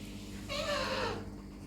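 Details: Talking pet Alexandrine parakeet: one drawn-out nasal utterance of about two-thirds of a second, rich in harmonics and slightly falling in pitch, like a mimicked word or meow, over a steady low hum.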